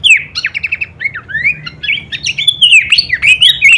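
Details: Short burst of Horsfield's babbler kleperan song meant as masteran for songbirds: quick staccato notes and whistled slurs run together into an energetic twittering phrase.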